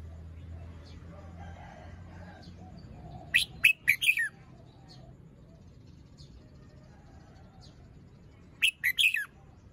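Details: Morning song phrasing of a red-whiskered bulbul with fluffed feathers, incomplete moult and a still-drooping crest: two short bursts of loud, liquid whistled notes, each about four notes, several seconds apart over a soft background hum.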